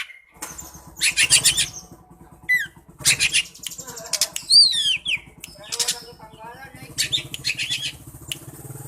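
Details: Oriental magpie-robin flicking its tail while singing harsh rasping bursts mixed with high whistled slurs, over a steady low mechanical hum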